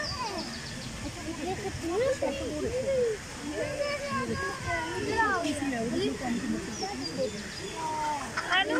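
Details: Ducks in a zoo pond, eating and swimming; many overlapping nasal calls with arched, rising-then-falling tones keep up a steady chatter throughout, with a few higher sharp notes near the end.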